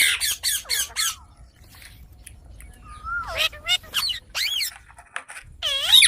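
A young Indian parrot gives a rapid string of harsh, nasal squawks and chattering, speech-like notes, some sliding down in pitch, in bursts over six seconds.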